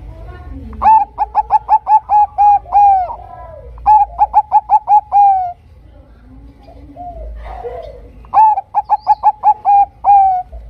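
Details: Zebra dove of the Bangkok type cooing as a lure for other zebra doves: three bursts of rapid, mellow, repeated coos, each closing with longer drawn-out tones, separated by gaps with soft murmuring notes.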